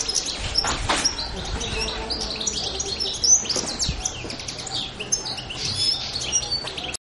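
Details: On Pantelleria, Italy, 2 January 2011, a European goldfinch pours out busy high twittering and tinkling notes, with scattered low thumps and faint voices in the background.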